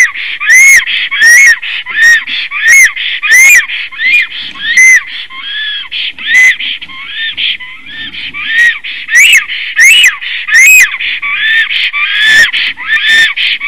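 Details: Black stork in Latvia, just arrived on 17 April 2019, singing a long song: a long run of wheezy, arched whistles, each rising then falling, about one every second, with short hissing bursts between.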